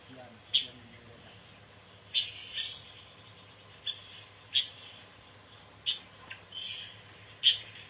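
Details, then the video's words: Pancawarna bird, a songbird said to be growing rare, kept as song material for training white-rumped shamas: sharp, high chirping bursts roughly every one and a half seconds over a faint low hum. "SUARA BURUNG PANCAWARNA"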